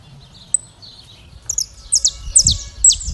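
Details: Saffron finch (canário-da-terra) in classic song, opening with soft thin whistles, then building into loud high descending notes repeated about twice a second, with some low thumping in the background.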